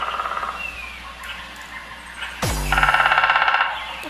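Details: A woodpecker in a quiet, snowy winter forest in Hokkaido, Japan, possibly boring holes for food, taps a rapid, even roll on wood lasting about a second.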